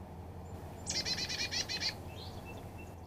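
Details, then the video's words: Buzzy dee-dee-dee series from a Carolina chickadee visiting a sunflower-seed feeder in the Great Smoky Mountains: roughly ten quick, harsh, evenly spaced notes packed into one second, followed by faint chips and low background rumble. "Carolina Chickadee and American Goldfinch Calls"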